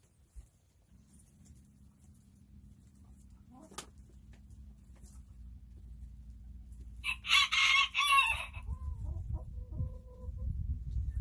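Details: After several quiet seconds of low hum, a chicken lets out a single loud, raspy crow lasting around a second and a half, followed by soft thin calls and a rising low rumble.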